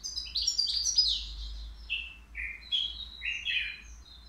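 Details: Three-year-old caged European goldfinch from the Qriaa bird market, singing a song presented as mistake-free: a dense high tinkling start followed by a series of slurred buzzy notes dropping and rising, each about half a second.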